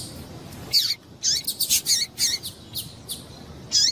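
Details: Female double-collared seedeater calling to excite males: high, sharp chirps and descending slurred notes in quick clusters, with gaps between, against faint steady background noise.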